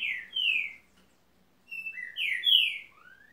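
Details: Green-winged saltator delivering two loud whistled phrases: long downslurred notes, then a series of rising and falling clear whistles ending on an upward slur. The background is quiet.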